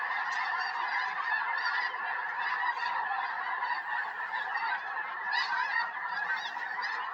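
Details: Snow geese by the hundreds descend over a rural Tennessee yard in January 2026 before a big snowstorm; a steady roar of countless nasal honks overlapping without pause.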